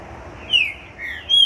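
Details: Trinca-ferro, or green-winged saltator, after completing its moult, gives two pure whistled notes, a falling slur then a high level whistle, loud against a quiet background.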